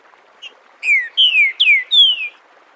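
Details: Saltator similis singing its "Bom dia seu Chico liso" dialect, recorded live as a teaching song for young birds: a faint lead-in note followed by four ringing whistles that each fall in pitch, closely spaced.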